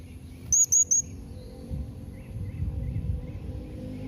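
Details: Three sharp, piercing high whistles from a blue-crowned hanging parrot, in a calling style used to make other hanging parrots respond, called nembak mbeset. Some faint distant chirps and low rumbling noise come afterward.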